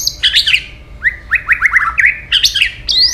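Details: White-rumped shama female call, used to rouse males to fight: chattering high notes, then a quick series of upslurred whistles repeated about every tenth of a second, ending in a rising whistle.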